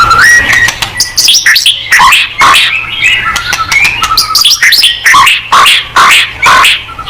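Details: A white-rumped shama's song for provoking singing: dense, varied phrases of whistles, sharp chips and buzzy notes, delivered in quick irregular bursts with short gaps.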